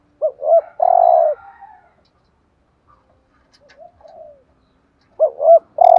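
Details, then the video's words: Spotted dove used as a decoy bird, giving 'thúc gù' urging coos to provoke rival males. Two short rising hoots lead into a long, steady, mid-pitched croo. A softer quavering coo follows, and the phrase then begins again. "chim cu gáy thúc gù BÀi BẢn/ tiếng chim cu gáy kích bổi và mồi rất xiêng gáy"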